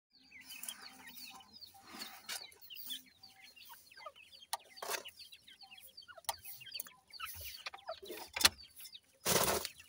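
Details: Grey francolin chicks, bred in captivity, calling while they feed: many short, thin, downslurred peeps in quick overlapping bursts, with loud broadband clatter and knocks between.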